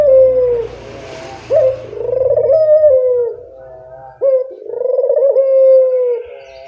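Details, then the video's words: Barbary dove calling freely, used to train lazy birds to call: a low coo falls away at the start, then two long, steady cooing phrases with abrupt rising starts follow, with faint low rumble behind. "Masteran burung puter gacor, mengatasi burung puter malas bunyi"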